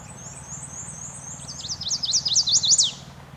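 Chestnut-sided Warbler gives a very high, thin run of sweet notes that grows louder and ends in a quick series of sharp up-and-down slurs.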